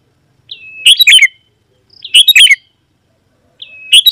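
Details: Sooty-headed bulbul singing vigorously, used to lure rival wild birds of its kind. Three loud, bubbly, gurgling phrases come about every one and a half seconds. Each opens with a short thin whistle.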